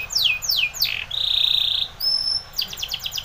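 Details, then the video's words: Spanish Timbrado canary singing for training: three steep downslurred notes, a loud flat buzzing roll held for about a second, a high thin whistle, then a burst of fast falling notes. "Timbrado canary's most powerful song for training - CANARY TRAINING SONG"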